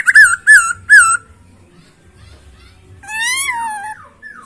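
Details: Masked laughingthrush singing: three loud, clear whistled notes in quick succession, each dipping then rising, then a pause and a long, smooth, rising-then-falling whistle with bright overtones.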